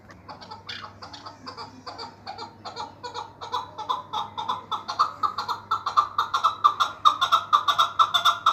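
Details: Chukar partridge offered for sale calls in a rhythmic chuck-chuck series, about two notes a second, starting soft and growing steadily louder and faster toward the end; a low hum sits beneath.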